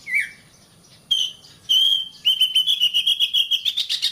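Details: Oriental magpie-robin, a training song for keepers' caged birds: a dropping whistle, two loud clear whistled notes after pauses, then a rapid pulsing trill of about a dozen notes rising at the end.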